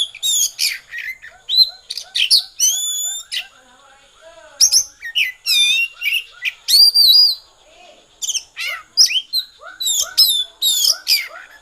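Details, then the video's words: Oriental magpie-robin, a singing bird, delivering a loud varied song in bursts: clear whistles, sharp upslurred notes and scratchy buzzy phrases, separated by brief pauses, in a quiet setting. "kacer konslet"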